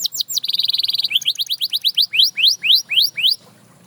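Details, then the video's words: Canary singing a bright, fast song: high whistled notes, a buzzy trill, then a series of rising swept whistles repeated about four times a second, sharp and clear throughout. "Watch How This Canary Inspires Others to Sing Again!"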